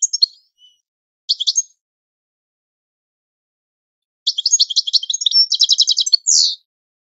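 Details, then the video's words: European goldfinch singing a training song for birds to learn: brief twittered phrases, a long silence, then a lively two-second burst of chattering notes and a fast rattle ending in a buzzy note. "Goldfinch The Best Singing - training song"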